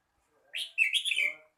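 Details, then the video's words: Red-whiskered bulbul song: a short, bright burst of slurred whistled notes, one clear note followed by a rich warbling phrase lasting under a second, in a quiet setting. "chào mào hót"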